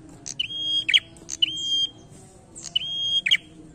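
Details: Bold challenging song from a prinia: three quick phrases, each a sharp chip sliding into a sustained thin whistle and closing with a harsh buzzy burst, delivered in close succession.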